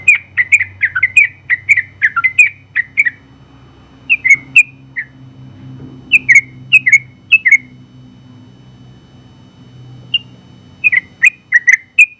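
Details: Yellow-vented Bulbul, a contest winner, in its long rapid song for training other birds: fast chattering run at first, then sparser single chirps with pauses of one to three seconds.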